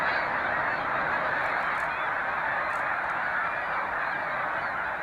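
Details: Wild snow geese in large numbers leaving their night roost on the water at sunrise to feed in fields, Canada, 26 April; a loud, unbroken chorus of nasal honks from countless birds, busy and irregular throughout.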